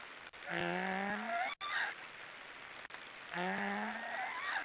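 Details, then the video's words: Two long, wheezy snoring calls from black storks, each slowly rising in pitch with rich overtones and a short pause between them. "Black storks are snoring"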